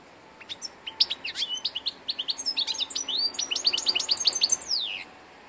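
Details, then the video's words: Song of an old European goldfinch from 2 August 2014, a long, fast twittering run of bright high notes and brief buzzes lasting about four seconds, over faint background hum. "Stari grdelin 02 08 2014 ,grdelin, chardonneret,goldfinches,el jilguero"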